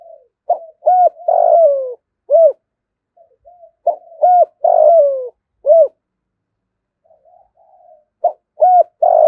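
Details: Thúc gù style cooing from a caged spotted dove. Three phrases, roughly four seconds apart, each has brief rising notes and ends in a longer low coo that slides downward. Soft murmurs come between phrases and nothing else is heard.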